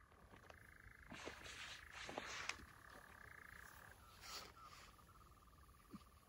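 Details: Churring European nightjars at Llanwonno Forest in 2022, a continuous even reeling trill that runs on unchanged, broken by several short broadband rustling or clapping bursts and scattered clicks.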